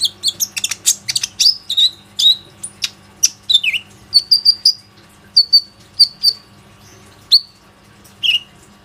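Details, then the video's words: Plain-throated sunbird singing often as a lure for other sunbirds, phone-recorded on an Oppo A37f: a fast string of piercing high chirps and slurred whistles, later slowing into evenly spaced clear notes about every half second. "PANCINGAN KONIN GACOR INI PANDAI MEMANCING KOLIBRI NINJA LAIN AGAR IKUT RAJIN BUNYI"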